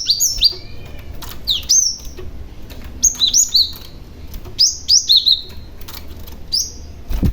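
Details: Cinereous tit lure bird calling in clear, high whistled notes that dip and slur downward, in groups of two or three repeated about every second, over quiet low background noise.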